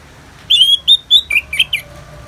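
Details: Orange-headed thrush, ngeplong song in a rain-sound therapy recording: a sustained high whistle, two more drawn-out whistles, then three shorter dropping notes, all clear and loud against quiet hiss.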